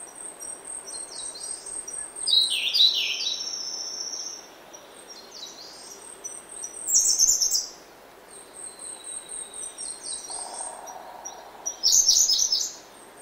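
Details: In oak woodland in the early morning, a grey-backed thrush repeats loud, sliding, high warbled phrases roughly every five seconds, separated by quieter chirps and a steady, shrill insect-like tone.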